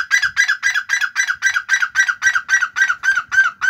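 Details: Black francolin giving a steady series of harsh, honking notes, evenly spaced about four per second throughout, each note short and grating with a slight downward inflection.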